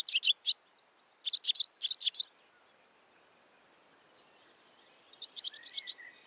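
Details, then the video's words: Barn swallow calls: short bursts of sharp twittering notes in groups of three to four, a long pause, then another rapid twittering series. "Haarapääsky - Hirundo rustica - Barn Swallow - ladusvala"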